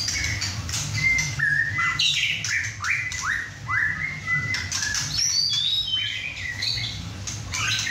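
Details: Young captive male White-rumped shama, six and a half months old and just through his first moult, singing hard at home alongside other birds in his first chai session: loud, varied whistles with downslurred and rising notes over a steady low hum.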